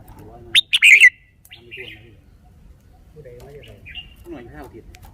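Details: Red-whiskered bulbul kept in a cage, displaying its song style: a sudden cluster of sharp, high warbled notes around one second, a softer whistle after, then faint lower chatter and a brief rising note.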